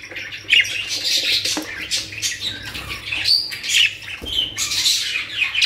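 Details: Budgerigars kept in a cage collection in Pakistan fill the air with busy, high warbling and scratchy squawks from several birds at once, and a few sharper chirps stand out.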